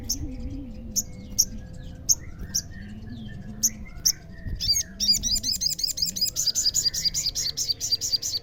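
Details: Olive-backed sunbird, locally sogon, singing to provoke rival sunbirds into answering. Sharp high chirps at irregular intervals give way to a fast, rolling run of high trilled notes, over a low wavering hum.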